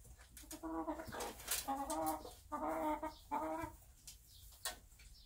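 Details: Bantam hen, described as confused, sitting in her nest on a small backyard farm. She makes low, drawn-out moaning clucks in two or three long phrases, with scattered rustling and knocks around them.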